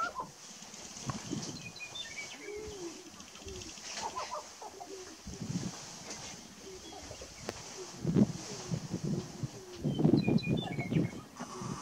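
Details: Displaying males of sharp-tailed grouse on a Nebraska lek near Burwell, March 29, 2018: low gobbling coos and clucks, scattered squeaky whistles, bouts of rapid rattling stamping and wing noise, growing louder toward the end.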